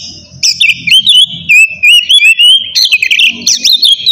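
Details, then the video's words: Oriental magpie-robin singing loud ngeplong style, used to provoke rivals and coax quiet birds to sing: continuous bright whistled warbling with rapid chips and slurred notes, over faint low background rumble. "kacer ngeplong gacor bikin emosi lawan cocok buat mancing kacer malas bunyi"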